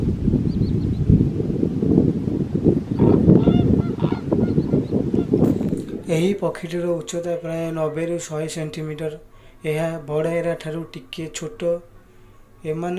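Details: Lesser flamingos at Chilika give a run of nasal, goose-like honks, several a second and overlapping, after a few seconds of rough wind-like rumble.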